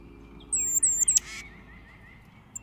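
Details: Tufted titmouse in Indiana giving a quick run of thin, very high notes then a short scratchy, nasal burst, a call used to scold other birds or when predators are present, over a faint background hum.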